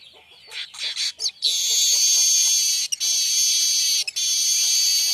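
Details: Streaked weaver song used to teach other songbirds: a short run of squeaky rising notes, then a loud, continuous, metallic sizzling buzz held for over three seconds with two brief breaks.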